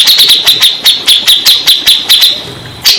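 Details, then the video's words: Grey-cheeked bulbul singing, played as therapy to coax stressed birds into answering: bright high notes repeated steadily at a quick, even pace, about four per second, sharp and chirpy throughout. "Terapi burung cak jenggot bahan / macet bunyi , setres pasti bakalan nyaut"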